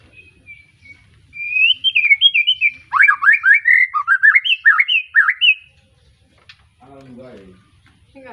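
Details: Young captive White-rumped shama, just past juvenile moult, from an Arko Tangerang bloodline, in lively song: a sustained whistle then a rapid run of varied rising and falling whistled notes for about four seconds, followed by quiet and some low rattling noise.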